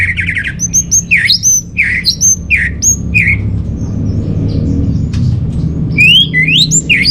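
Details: Orange-headed thrush song played as a lure and master song for caged birds. Rich, varied phrases mix high sharp notes with lower down-slurred whistles in quick succession, then pause and resume with rising whistled sweeps over steady low hum.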